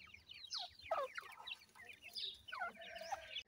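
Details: Playing grey francolin chicks cheep constantly: thin, downslurred whistled peeps from several young birds overlap in a lively, uneven chorus.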